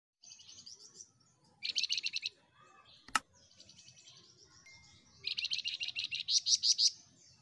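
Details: Flamboyan singing actively: bursts of rapid, buzzy, high chattering trills repeated in phrases, with a sharp click near the middle and a loud rattling series toward the end; low background hum.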